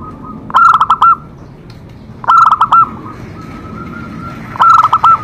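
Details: Zebra dove song for stimulating other doves to sing. Three loud bursts of five or six fast, stuttering coos come about two seconds apart, with a softer sustained coo between them.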